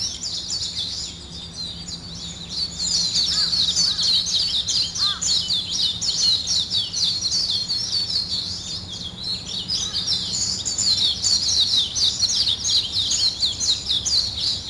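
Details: Birds waking in the morning make a steady, crowded chorus of shrill twitters and chirps for the whole stretch. A few soft lower notes come through now and then.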